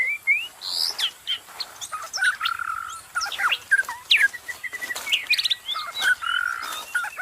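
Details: Dense forest song from a wild magpie-robin, full of overlapping whistles, sharp chips and sustained notes, almost continuous throughout.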